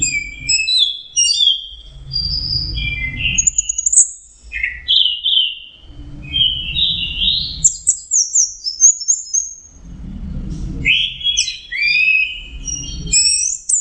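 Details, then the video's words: Orange-headed thrush in full song: a rambling sequence of bright, varied whistles, quick slurs and chattering notes, phrases linked with brief gaps, over a soft intermittent low rumble. "Burung anis merah jenis burung kicau mahal dan suaranya merdu"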